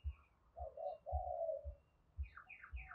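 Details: Spotted dove giving the urging coo, 'gáy thúc', played to stir newly caught and decoy doves into calling. A soft, low, hoarse coo phrase runs through mid-clip, followed by higher chirpy notes from another bird, over steady low thumps.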